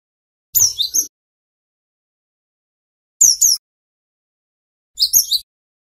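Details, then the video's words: Female cinereous tit call used as a lure to provoke wild males into answering: three short, high, scratchy chattering bursts, each about half a second long, separated by silent gaps of two to three seconds. "Suara Burung Gelatik Batu Betina"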